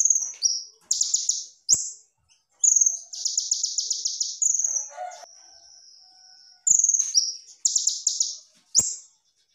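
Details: Purple-throated sunbird, locally kolibri ninja, singing a masteran tutor song with full tembakan: piercing high whistles alternate with rapid buzzy trilled bursts. A long thin steady whistle and fainter lower warbling notes come midway.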